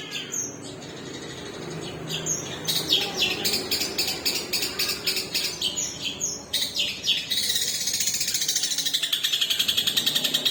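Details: Long-tailed shrike with a split beak, kept caged, singing a long-delivery song: dense rapid trains of high, sharp, stuttering notes that run on for seconds, then a fast, even rattle of harsh chips.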